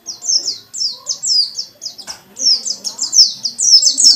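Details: Caged white-eye song intended to goad other white-eyes into singing; steady rows of high, downward-sliding chirps in two quick runs split by a short break, with faint background noise.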